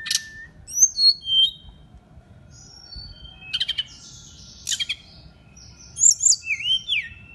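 A brown-chested jungle flycatcher sings varied high phrases: clear whistled slurs, scratchy buzzes and quick sharp trills, delivered in bursts with short pauses, over a faint low hum.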